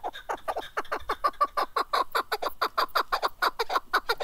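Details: Chukar partridge (kaklik) in a steady run of loud clucking notes, roughly four per second, evenly spaced and slightly falling in pitch, throughout.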